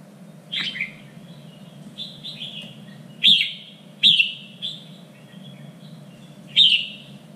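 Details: Red-whiskered bulbul song for training contest birds, a standard voice of the three regions of Vietnam: bright whistled phrases repeated several times, with sharp loud onsets sliding into warbled notes, over a low steady hum.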